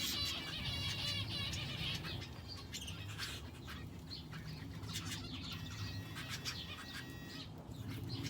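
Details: Finches in an aviary shared with a canary: an opening burst of rich trilled warbling, then scattered short high chirps mixed with wing flutters and scratching clicks over a low steady hum.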